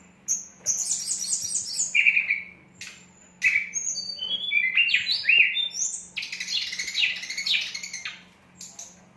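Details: Whistler in full active song: loud varied phrases of clear rising whistles near the middle register mixed with high trilled and buzzy notes, delivered in bursts with short pauses; a low steady hum underneath.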